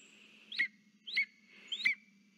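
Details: Lesser spotted eagle at its nest, carrying a frog and calling for its mate, 3 September 2023: three shrill, downslurred yelps about 0.6 seconds apart over a low, constant background hum.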